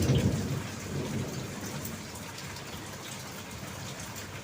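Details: Steady rain with low rumbling thunder, loudest in the first second, and no animal voices.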